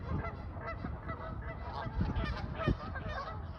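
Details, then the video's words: A flock of Canada geese relaxing on the water on a fine day honk loudly in a dense, overlapping chorus, nasal calls stacked closely over a low rumbling background. "Loud Canada Goose Flock Honking"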